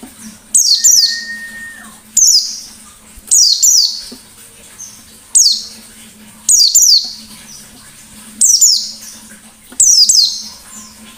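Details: White-eye singing ngalas style as a lure for other birds: phrases of high, steeply descending chirps repeated about every one and a half seconds, each a quick double or triple burst, faint hum behind.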